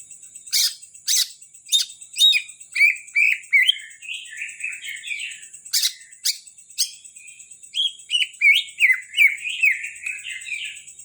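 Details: Greater green leafbird from Kalimantan, kept as a prized songbird, singing a rapid, varied warble of slurred twittering notes broken by sharp, loud chips, roughly two or three per second. A steady high-pitched hiss sounds in the background.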